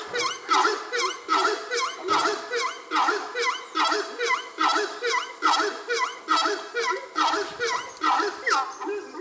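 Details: A pair of horned screamers sitting on an observation deck at Chingana give loud, honking, yelping calls in a steady series, about one per second, rising and falling in pitch, over a faint high steady hiss.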